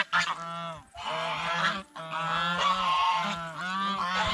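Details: Honking geese at a fish pond while feeding on bread and fresh vegetables; long harsh nasal calls run almost continuously from several birds, with one short gap near the start.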